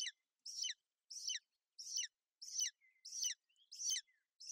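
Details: At a Bucovina golden eagle nest, where the female shelters her chick during bad weather on 28 May 2021, sharp downward-sweeping chirps recur steadily about every 0.7 seconds, with faint thin whistles between the later notes.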